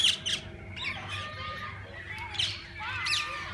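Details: Many parakeets calling in a walk-in aviary at a parrot park; harsh squawks at the start, then warbling chirps and descending whistled notes over a constant chattering backdrop.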